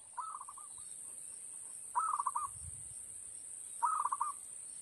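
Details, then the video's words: A zebra dove (perkutut) gives soft, stuttering coos, each a quick run of staccato notes, repeated about every two seconds over a steady high electrical whine; the sound is lure playback from an MP3 player at a bird trap. "SUARA PIKAT PERKUTUT"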